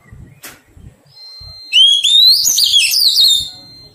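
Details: Wild-caught Oriental magpie-robin being tamed, singing one loud whistled phrase that climbs steadily, then warbles and wavers for about two seconds. A faint steady high tone runs through the clip, and soft low knocks sound underneath.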